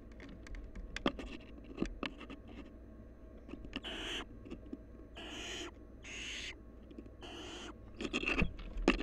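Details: Wild barn owls filmed at a bird camera site: four or five rough, breathy hissing screeches, each about half a second long, spaced roughly one to two seconds apart, mixed with sharp clicks, taps and shuffling.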